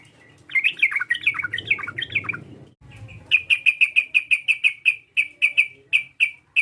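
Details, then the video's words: Sooty-headed bulbul call meant to provoke an opponent: a burst of warbling chirps over a rough low rumble, then a steady string of short clipped notes repeated at an even pace. "PANGGILAN TRUCUK ini memancing emosi lawan, TRUCUKAN langsung BUNYI GACOR"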